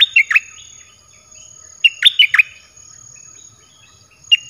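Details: Red-whiskered bulbul song played to draw in wild birds: short bursts of bright, liquid whistled notes sweeping down and up, in three phrases spread across a few seconds, with a faint steady high tone behind.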